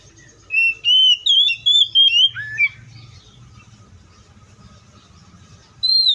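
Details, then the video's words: Oriental magpie-robin in the wild whistling a short phrase of smooth, wavering notes ending in a downward slur, then silence for about three seconds before one more clear whistle. "THIS COPSYCHUS SAUCARIS BIRD MOST LUXURIOUS SOUNDS LIKE IN THE WILD!"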